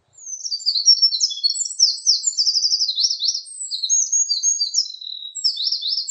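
A Eurasian wren pours out a loud, high, rapid song of tumbling notes and fast rattling trills, running unbroken for six seconds with no other sounds.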